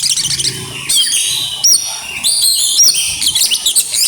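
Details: Oriental magpie-robin singing aggressively with mimicked phrases: high sustained whistles, sharp upswept notes and quick chirp clusters, loud and clean over quiet background.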